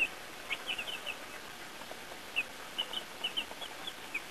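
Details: Young chicks on their first outing outdoors with earthworms give soft, thin high peeps in quick clusters near the start and again later, with quiet gaps between and a constant low hiss behind.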